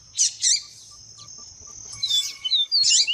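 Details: Yellow-bellied seedeater (papa-capim viviti), with a female calling to excite males: short bursts of buzzy, tumbling high notes at start and end around a quiet middle, over a steady high-pitched tone.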